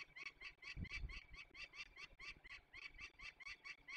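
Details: Harsh repeated cacking from a peregrine falcon as young falcons are released in Poland's Barycz Valley, 27 May 2020, the notes coming steadily several per second, with a brief low thump near the start.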